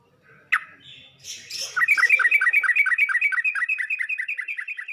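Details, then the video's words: Yellow-vented bulbul heard in a training recording meant to teach other bulbuls to sing. A sharp note is followed by a brief rustle, then a fast, steady run of bubbly, chirping notes repeated about twice per second until the end. "Suara pancingan dan masteran burung trucuk untuk trucuk belajar bunyi dan macet bunyi"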